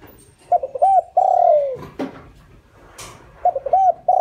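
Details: Lure spotted dove cooing to draw wild doves: one full phrase of short notes and a long descending coo, a couple of sharp clicks, then the next phrase beginning.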